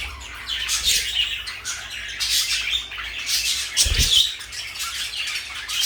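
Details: Two companion parakeets, blue and light yellow, give a stream of harsh chirrups and squawks, broken by a dull thud shortly before the end.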